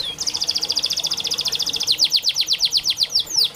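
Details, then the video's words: Singing canary used as a master tutor for birds that won't sing: a long, rapid, even trill of high notes, then slower descending sweeps repeated several times a second. "Burung KENARI malas bunyi Terapi untuk burung kenari masteran canary"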